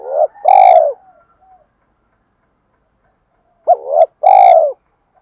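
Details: Spotted dove challenge call used to provoke other doves, male and female voices: a short hooked note then a long steady hollow coo, the pair of phrases repeated after about three seconds of silence.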